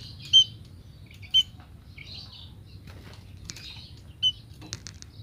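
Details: Female munia calling to draw in males: short, sharp, high chirps about a second apart, mixed with softer twitters, over a steady low hum.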